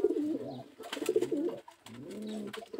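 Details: Indian fantail pigeons kept at a bird farm in Birbandha, Garhwa, India, giving low, throaty rolling coos in three drawn-out phrases, with clicks and flapping noises in between.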